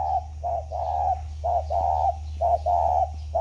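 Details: Spotted dove kept in captivity for ten years, recorded at a farm near Ba Vi, Vietnam, on 29 October 2020, giving low hollow coos in short phrased bursts about once a second over a steady low hum.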